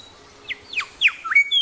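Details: A Grey shrike-thrush in Tasmania gives four quick, clear whistled notes that slur steeply downward, then a brief rising phrase, all within under two seconds against a quiet background.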